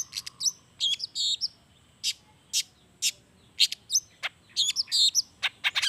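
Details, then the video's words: Long-tailed shrike in 'gacor' song with natural fill notes, played as a lure so sluggish shrikes join in. Bursts of high twittering chirps alternate with sharp, harsh single notes at an uneven pace. "SUARA CENDET GACOR ISIAN ALAM"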